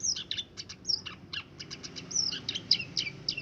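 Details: Scaly-breasted munia imitating canary song after being kept with other birds since young: quick high chirps mixed with brief slurred whistles, over a low background rumble.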